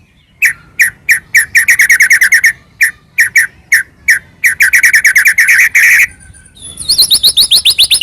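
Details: White-rumped shama song used to goad another shama into singing, made of loud rhythmic chirps in pairs and rapid clusters, ending with a run of very high sweeping notes.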